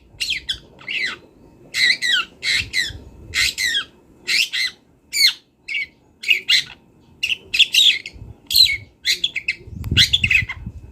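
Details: Long-tailed shrike singing in the wild, used to train songbirds: long sequence of harsh, scratchy grouped notes and rapid chatters, with low rumbling background noise in places.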